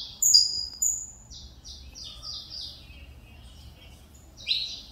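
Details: Saffron finch (canário mineirinho), still in pin feathers after almost two years of poor plumage, opens with loud piercing high notes, then a string of softer falling chirps and a final sharp slurred note.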